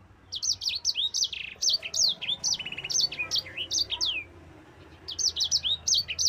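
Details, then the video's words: Long rolling song of a Mozambique canary, meant for training other birds: lively series of high, clipped whistles and slurred chirps, a trilled buzzy stretch, a pause near five seconds, then another quick burst. "SANGER GACOR ISTIMEWA"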